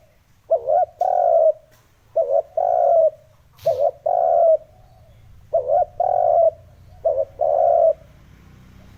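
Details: Spotted dove calling as a lure for wild doves: six paired coos, a quick double hoot then a drawn-out soft coo, repeated steadily at about forty per minute, with a brief click midway and faint background hum.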